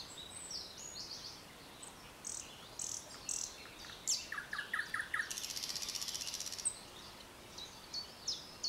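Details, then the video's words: Thrush nightingale (Luscinia luscinia) recorded at Arnhem on 16 May 2010 sings varied phrases: sharp high whistles, lower clicking notes, then a fast dry rattling trill lasting over a second, amid faint background hiss. "Noordse Nachtegaal (Trush Nightingale, Lusciana lusciana)"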